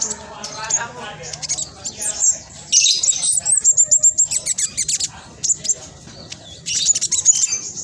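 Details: Rapid, tightly packed chattering (nyerecet) of a spotted black sunbird meant to provoke other caged black sunbirds into singing: high sweeping whistles break into a quick train of sharp, very high ticks, then softer twitters.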